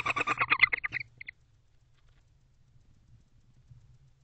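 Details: Barn owl in a nest box at 11:45 pm on 10/23/23, a male allopreening a female during the winter courtship season; a rapid burst of about a dozen harsh, harmonic chittering pulses over roughly a second, then only a low background hum.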